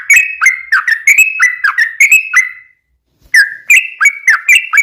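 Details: Lure recording of a yellow-vented bulbul's long, fast 'ropel' song meant to prompt other bulbuls to answer: quick chattering whistled phrases break off for about half a second of silence, then resume just as fast.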